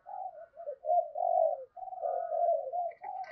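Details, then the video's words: Spotted dove song used to lure wild doves to fight a decoy, heard as a quiet, nearly continuous stream of low, wavering coos with a short click near the end. "tiếng cu gáy thúc Đấu bổi rất rát, trị những con chim cu gáy bổi bể rừng lẹ về cội đấu với mồi"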